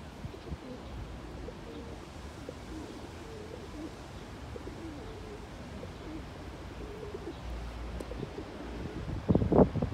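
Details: Low, wavering coos from a male pigeon courting with neck feathers raised, repeated in a loose series over outdoor hum, ending in a loud burst of rustling.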